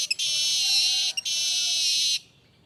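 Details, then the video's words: Streaked weaver giving a loud, sustained, harsh buzzing sizzle. It breaks once after about a second, then continues, then stops abruptly. "Kicau burung_manyar gacor tanpa henti"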